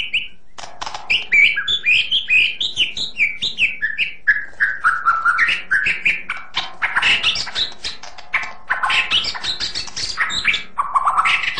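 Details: White-rumped shama in continuous vigorous song, a long run of rich whistled and warbled notes stepping downward, then harsher chattering bursts.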